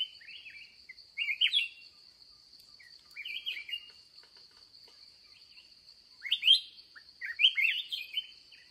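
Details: Wild, fired-up red-whiskered bulbul met during a late-day trapping session: short bursts of bright, chattering warbled notes at intervals of one to three seconds, over a steady high insect drone.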